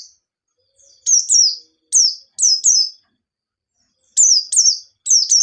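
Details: Lure song of a white-eye in the ngalas nembak style, used to stir other white-eyes into song: clusters of two or three piercing, downward-sweeping chirps separated by a long silent gap, no other sounds.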